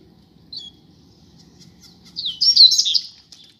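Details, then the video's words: Spirited song from a pair of Double-collared seedeaters kept outdoors: a single high chirp, then a strong burst of rapid, high, twittering notes lasting about a second, over faint low hum. "Casal de Coleiro na Rua - Muita Fibra e Canto!!!"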